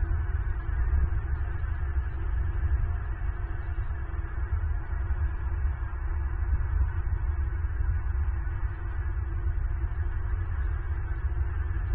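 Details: A steady low humming drone with music-like tones fills the recording, and no animal calls can be made out.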